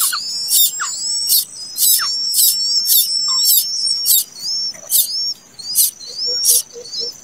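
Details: Rapid begging from a plaintive cuckoo chick that hatched late: harsh broadband bursts nearly twice a second with sweeping high whistled notes woven between, and soft low chirps near the end.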